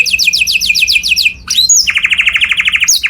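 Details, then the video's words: Canary tutor song for imitation by other birds. One quick trill of repeated rising notes, a short swoop, then a fast lower rolling trill of about twenty pulses. "O SOM DO CANÁRIO SOM ALTO DE OUTRO PÁSSARO PARA IMITAR"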